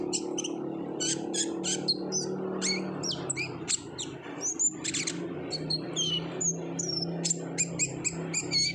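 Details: Olive-backed sunbird chattering busily as a singing lure: repeated high sharp chips and short whistled notes, some sliding, over a steady low hum throughout.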